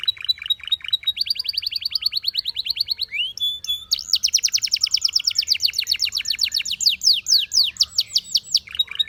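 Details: Belgian canary in full song: steady high trills in several tempos, a short rising whistle, then a long fast run of bright repeated notes ending in quick downslurs.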